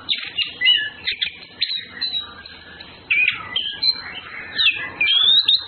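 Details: Male and female Orange-headed thrushes in courtship, pouring out a varied song of whistled slurs, chirps and rapid twittered notes in bursts, with brief pauses between phrases.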